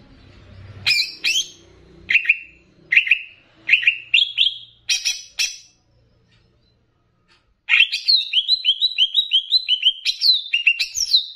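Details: Greater green leafbird of the Banyuwangi type mixed with bebeci-style phrases, used to raise a leafbird's excitement. Spaced sharp chips and short whistles, then after a pause a fast, continuous stream of high, bouncing whistled notes.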